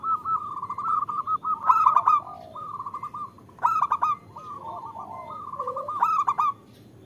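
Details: {'text': 'Zebra dove, female voice calling a male, meant to provoke singing in quiet birds; strings of rapid clipped coos punctuated by three louder rough accented notes roughly two seconds apart.'}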